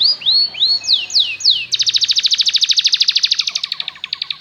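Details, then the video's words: Belgian canary singing, played to train canaries to sing: several separate rising and falling whistles, then a dense rapid trill of sharp notes repeating about 200 times a minute. "LONG CANARY SOUND || EMOTIONAL CHANNELING EFFECTIVE to lure canaries to learn to sing"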